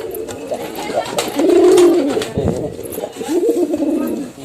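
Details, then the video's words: Male and female domestic pigeons cooing, one strong arching coo at mid-clip followed by softer coos, with bursts of background clatter and a faint voice. "Male & Female Pigeon Combo Attacks Sound"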